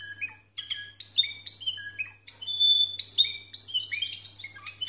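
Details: Timbrado canaries singing discontinuous-style song, birds scored 92 and 93 points; recording quality stated as somewhat poor. Short broken phrases of high whistled notes and metallic trills, separated by brief pauses, over a steady low electrical hum.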